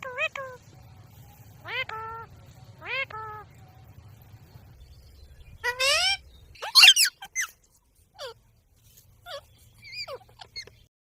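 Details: A talking rose-ringed parakeet gives short, rich, speech-like notes about once a second, then a burst of shrill, screechy squawks, with a low background hum.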